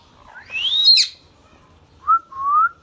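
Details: Green ringneck parrot, a pet bird, gives a long whistle that rises and ends in a harsh flourish, then two mid-pitched level whistles after a short gap.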